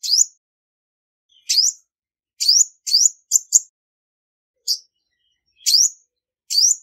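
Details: High-pitched song of a female Olive-backed Sunbird used to stir males, no background noise: clipped upslurred chirps, some in fast clusters, separated by gaps of about a second.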